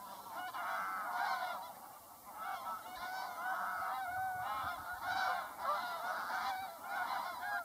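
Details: Several geese of mixed kinds call together in a constant chorus of overlapping nasal honks that rise and fall in loudness, over a faint steady hum.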